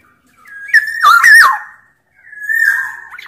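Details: Black-naped Oriole of the Sumbawa type, singing as a lure for orioles: a mellow whistle leading into a wavering, slurred, slightly hoarse phrase, a pause, then another long even fluted note.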